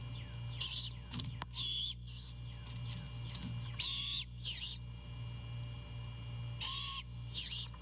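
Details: A female great horned owl at a nest with an owlet, Savannah, 05:12 on 2 April 2022, gives harsh, raspy screeches about half a second long at an uneven pace, calling her mate before he delivers prey; steady low electrical hum.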